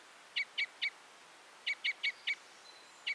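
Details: Common Crossbill giving loud, clipped kip calls in groups of three and four, then a single note after a pause.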